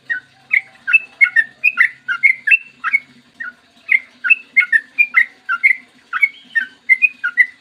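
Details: Yellow-vented bulbul (trucukan) singing a long, rapid 'ropel panjang' morning song, clear-voiced and used as a lure to set others singing: a steady run of short, bubbly whistled phrases, about two each second, with a faint low hum underneath.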